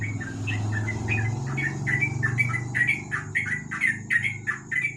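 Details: Yellow-vented bulbul (trucuk) in ropel style at night under a lamp: a hurried chain of chirped notes growing louder toward the end, over a strong low rumble and a thin high whine.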